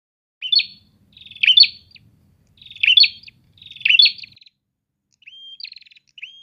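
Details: Prinias answering each other: four rapid buzzy, rattling bursts near one second apart, then thin level whistles ending in sharp upticks, in a quiet setting with no other clear sounds.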